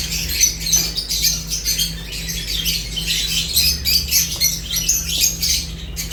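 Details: Several lovebirds chirping while eating, rapid overlapping high squeaky chirps and short squawks running continuously, over a constant low electrical hum.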